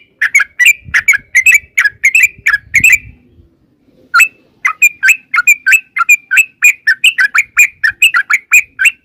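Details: Yellow-vented bulbul giving long rolling 'ropel' song used as a lure to provoke replies: quick liquid whistled notes, a short pause with low rumble, then a steady stream of bright bubbly chirps.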